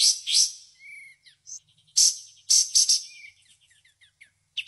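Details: White-shouldered triller, known locally as kapas tembak, singing its 'tembakan' burst: loud high buzzy bursts alternating with a thin rising-falling whistle and scattered quick chips, pauses between phrases.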